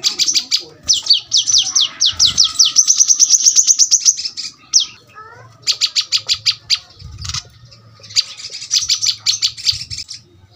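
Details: Brown-throated sunbird in dense, very sharp 'tembakan rapat' song, used as a tutor recording for home birds: rapid bursts of high, thin sweeping notes in fast series, broken by short pauses, with a faint low hum beneath.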